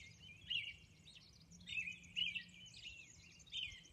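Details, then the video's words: Robin singing at dawn on Orcas Island: clear whistled caroling phrases, each about half a second long and sliding up and down, come in two bursts over a faint steady background hiss. "Dawn Robin Song"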